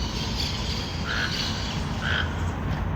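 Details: Toucan in forest giving two brief hoarse croaks about a second apart, set against continuous low-pitched ambient noise.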